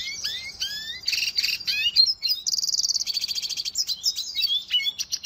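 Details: Cage-bird training song from a Red siskin: rising whistled slurs open, followed by buzzy chatter and a rapid mechanical trill, then scattered high twittering notes.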